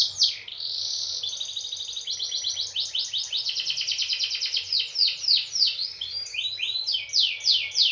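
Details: Canary song used to prompt other canaries to sing: a long, continuous run of rapid trills and rolling chirps, shifting between fast buzzy rolls and slower sweeping notes repeated several times a second.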